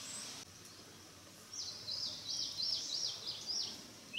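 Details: Narcissus flycatcher rehearsing song in mountain forest: after a hushed start, a quick run of high, slurred, falling notes repeated about three times a second, set against constant soft environmental noise.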